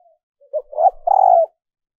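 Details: Female dove calling to stimulate males, recorded and edited for training decoy birds: a short soft lead note, then a longer low, throaty two-part coo with a rolling, burred quality, in an otherwise quiet background.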